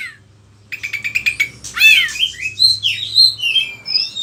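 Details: Oriental magpie-robin song, used to train other birds: a rapid series of buzzy notes, then loud slurred whistles and a run of varied high, sweet phrases.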